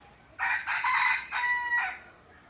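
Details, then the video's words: Rooster crowing, kept as a pet: a harsh, harmonic crow of about one and a half seconds in three linked segments, the middle part sustained and the ending held on a steady tone, with a quiet background. "Amazing Cock Making Noise and Sounds"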